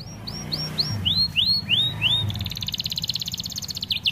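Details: Canary of the American Fancy type, starblue, singing as a tutor for young canaries: about eight looping downward-curving whistles, then a fast even trill and two final sharp notes.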